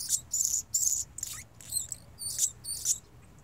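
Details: A male hummingbird sings vigorously: a thin, very high, scratchy series of squeaky chips and buzzy notes, about two or three per second, with a faint low hum behind.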